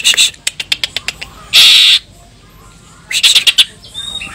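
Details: Greater green leafbird song with cililin phrases: sharp clicking notes, then a loud, harsh, buzzing burst, silence, and a shorter cluster of squeaky chattering notes with a thin whistle at the end.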